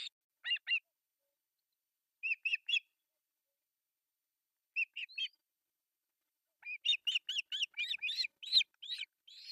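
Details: Three osprey chicks at an artificial nest in Pohjois Satakunta, Finland, during breakfast feeding, July 1, 2024, nest camera: short groups of two or three piercing chirps with pauses, ending in a long rapid chattering series.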